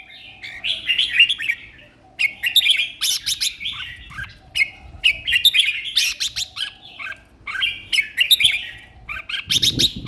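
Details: Competition red-whiskered bulbul singing vigorously from its cage, repeating short bubbly warbled phrases in a steady series, each about a second long with brief gaps, plus a soft thump at the close.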